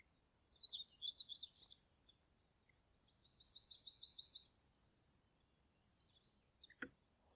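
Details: Kingfisher (Alcedo atthis), Niepołomice Forest, Poland, July 2020: a rapid burst of shrill chirps, then a sustained series of fast, evenly repeated high whistled notes, a few faint chirps and a sharp click near the end.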